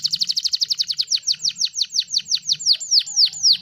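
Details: Canary song used as a master recording for training other songbirds: a fast trill of high, downward-sweeping notes that gradually slows into separate, longer swooping whistles.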